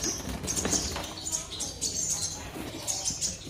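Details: Caged black-throated sunbird singing in full: thin, high, sharp chirps repeated in quick bursts, with soft rustling and patter in the background.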